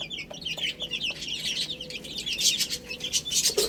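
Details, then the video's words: Chicks eating spinach: a thick chorus of short, shrill, falling peeps, with soft pecking taps that grow louder and more frequent in the second half. "Adorable Little Chicks Chirping Sounds"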